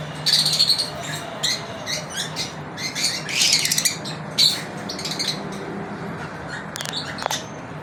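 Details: Several lovebirds kept at home, going through their daily routine: busy, scratchy chirps and squeaks in uneven runs, growing quieter toward the end, with a steady low hum throughout.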